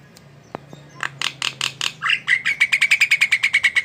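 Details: Javan myna (jalak kebo) in lively song: a knock, then harsh chattering notes building into a fast, even series of bright whistled chips near one pitch, roughly five per second, over a faint hum.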